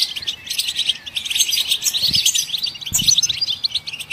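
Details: Goldfinch singing to prompt other songbirds: a tumbling, twittering chatter of high chirps and buzzy notes, fairly even in loudness, with two soft thumps partway through.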